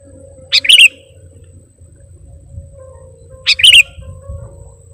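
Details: Sooty-headed bulbul lure call: a short bright chirp joined to a slurred bubbling note, given twice about three seconds apart, over a faint hum and low background noise.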